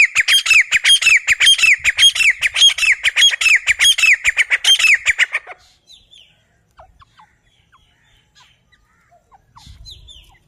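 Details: Grey francolin, known locally as Sindhi teeter, from hunting footage: loud, harsh, rhythmic squawking notes repeat steadily for about five seconds and then stop, leaving near silence with a few faint distant chirps.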